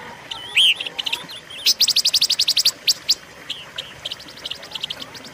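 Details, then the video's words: Silver-eared mesia singing, a recording meant for luring and training caged birds: one bright looping whistle, then a fast dry chatter of about a dozen even notes, trailing into softer scattered chips. "pancingan dan masteran suara burung pancawarna"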